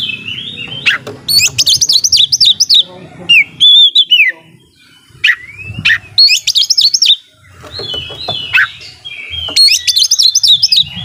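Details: Oriental magpie-robin kept at home, in loud active song to rouse opponents: strings of high warbling trills, sliding whistles and rasping notes repeated in rich phrases, with brief pauses.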